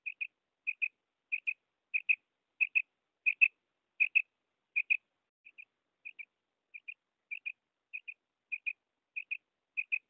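A female common quail gives soft, high double notes, repeated steadily about every two-thirds of a second, against a quiet background.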